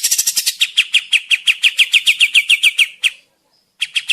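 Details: Kapas tembak bird in energetic song, used as a forest lure: rapid rattling notes, then a steady string of sharp slurred chirps, a short silence, and a fresh burst of chirping.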